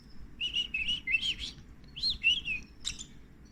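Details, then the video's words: Canary chicks begging while being fed: bursts of high, rapid chirps and short rising and falling tweets, clustered in quick runs with brief pauses, with faint low background rumble. "canary feeding babies"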